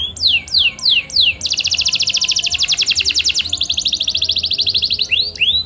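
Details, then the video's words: Canary song played to prompt silent canaries to sing: a few high downslurred notes, then a long fast metallic trill, ending in rising swept notes, over a low steady hum. "PANCING KENARI MACET ANDA DENGAN VIDEO INI"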